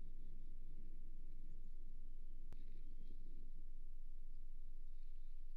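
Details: Low outdoor hum with one sharp click midway and no animal voice.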